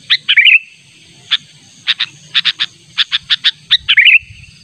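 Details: Sooty-headed bulbul lure call meant to draw in a rival: opening bubbling phrase, then a run of evenly spaced sharp chips ending in another short warble, with a low background rumble.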